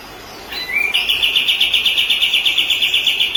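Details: White-rumped shama song from a recording used to train other birds. After a soft rising slur comes a fast, even string of bright staccato notes, roughly four each second, held at a constant high pitch.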